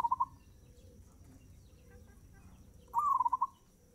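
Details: Zebra dove in full, lively song with a fast tempo. A cut-off phrase opens the recording, followed by quiet, then a mellow cooing phrase: a short rising note running into a quick string of staccato pulses. Faint steady background hum.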